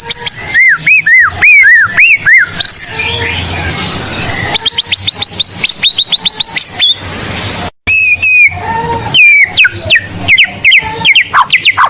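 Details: Lively blorok-type white-rumped shama used to lure and train other shamas: loud, varied song of arched whistles, rapid bursts of sharp rising notes and chattering phrases, with a brief break midway.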